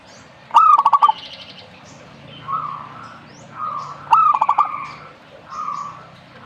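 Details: Zebra dove repeating its bubbling phrase twice, about three and a half seconds apart, as an accented coo followed by rapid rolling pulses. Softer, steady cooing from other doves sounds between the phrases.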